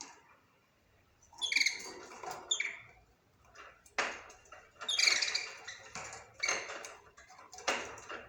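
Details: Budgerigar squawks and chirps: sharp, harsh notes repeated irregularly every second or so, mixed with scratchy chatter and a few click-like sounds.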